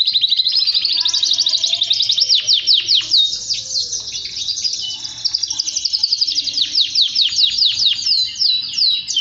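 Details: Long unbroken song of a male canary, played to encourage males to sing: rushing downward-slurred notes and rolling trills pour out continuously, getting louder and more pulsed toward the end.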